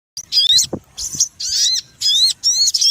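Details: Sogon birds in a noisy lure recording used for trapping: bursts of shrill chattering with rapid upslurred whistles, broken by short pauses and a soft low knock.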